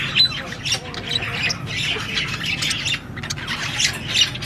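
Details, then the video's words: Budgie parrot chirping: sharp high squeaks and grating warbled squawks in a lively run, with brief louder peaks near the start and end. "Beautiful budgie parrot chirping sound"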